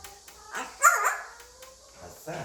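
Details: Five-year-old male African grey parrot at home trying out English: one loud, sharp voiced syllable with a clean whistled tone sliding through it, followed by a long, faint, level whistle and a low murmured sound at the end.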